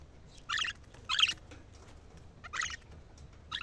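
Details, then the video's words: Budgerigar song meant to excite birds and stimulate females to mate: short bursts of scratchy, chattering warble about every second, separated by quiet gaps. "أجمل صوت لتهييج طيور البادجي ناار وتحفيز الإناث البادجي على التزاوج"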